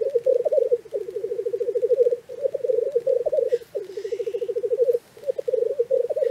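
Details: Black grouse at a lek in Cairngorm National Park at dawn: loud, continuous rolling bubbling with regular pulsed stretches and brief pauses, plus a short breathy hiss partway through.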